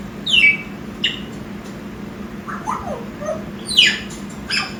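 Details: Pet African grey parrot, six months old, indoors: sharp descending squawks, soft warbling mid-pitched notes in the middle, then another harsh downward-sweeping squawk and a brief click.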